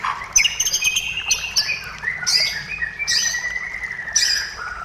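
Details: White-rumped shama song used to lure other shamas into singing: bright whistled phrases near the top of the range with sliding tones and sharp chattering notes, several bursts over five seconds, faint low background hum.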